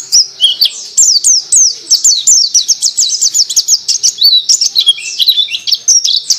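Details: Sooty-headed bulbul (pleci) singing a long, rapid stream of high, slurred whistled notes, each swooping up then down, run together in quick chattering phrases for over six seconds with brief twittering breaks.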